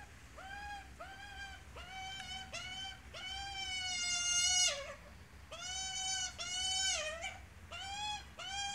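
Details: Australian magpie, an adult with a chick: a series of harsh, nasal, harmonic-rich calls, some drawn out for over a second, given in an uneven run with short gaps.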